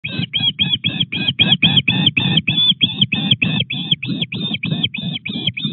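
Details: Wild osprey at its nest at Llyn Clywedog, Wales, on 17 August at 19:24, bringing a fish to the nest: a rapid run of sharp, squeaky, slightly rising calls, about three per second, over a low rumbling background.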